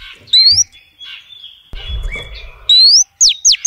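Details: A female oriental magpie-robin calls to lure males. Sparse high notes open the recording, then a bright rising whistle comes later, followed by two quick falling notes. A faint low rumble sits in the background.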